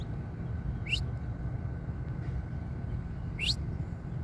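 A saffron finch gives two quick, bright, upward-sweeping notes about two and a half seconds apart, over a steady low rumble like passing traffic.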